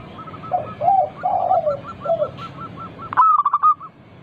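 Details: Zebra dove, a local bird, singing to draw other doves into song: rolling lower coos beneath a steady series of high clipped notes, ending in a loud stuttering burst.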